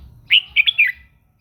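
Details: Red-whiskered bulbul singing in the morning to train its voice and stir other birds to sing: one loud, quick phrase of three or four clear whistled notes, sliding and warbling high, over faint low background rumble.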